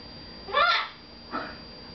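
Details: Pet red-fronted macaw talking to its owner indoors, a loud rising-and-falling harmonic utterance followed by a shorter, softer second note.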